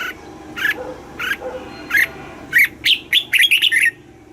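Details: Red-whiskered bulbul, a caged bird, singing in the southern Thai 'mae bot' style, used to excite caged birds and teach young birds: a few spaced short notes, then a quickening run of bright chirpy phrases.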